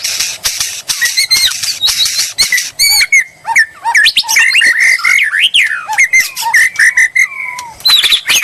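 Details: White-rumped shama song meant to provoke a rival's reply: harsh clicking bursts give way to varied loud whistled phrases, swooping slurs and rising notes, ending with a high sweeping whistle.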